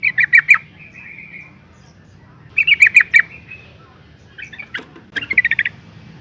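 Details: Female yellow-vented bulbul calling to provoke males into singing. Bursts of quick chattering notes, some trailing into a thin drawn-out tone, followed later by sharp clicks and another rapid run.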